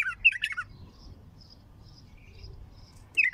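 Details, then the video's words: Bulbul described as having a raw, heavy throat, giving a short burst of loud, chattering warbled notes, then a quiet pause with faint distant chirps, before another loud fluty phrase starts at the end. "اقوى تغريد بلبل"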